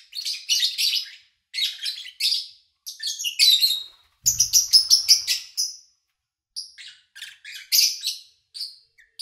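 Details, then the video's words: Lovebirds chirping in bursts of shrill, scratchy notes with short silences between, recorded in August 2019 over several days while the owner was away, so little engine noise or human activity; a brief low thump around four seconds. "Sounds of Lovebird Chirping"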